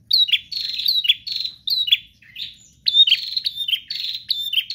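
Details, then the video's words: Prinia in vigorous 'gacor' song, delivering rapid strings of high, buzzy chirps that each drop sharply in pitch, in near-continuous phrases broken by brief gaps. "Prenjak GACOR Ngotot Full Durasi Tanpa Jeda"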